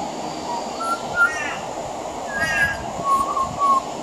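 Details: Pied butcherbird singing on a veranda, its song mixing in mimicry of other Australian birds: clear, mid-pitched flute-like whistles, some held and some rippling, spread over four seconds.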